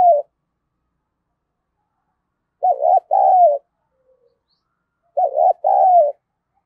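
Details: Spotted dove decoy calling to stir up fights, 'hạp bổi' voice style: the tail of one coo, then two full phrases about 2.5 seconds apart, each twin short notes followed by a longer, descending coo.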